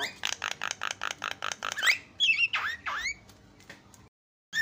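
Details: Asian pied starling song for provoking other starlings: a rapid string of harsh rattling notes followed by a few squeaky, upslurred whistles, then a short pause.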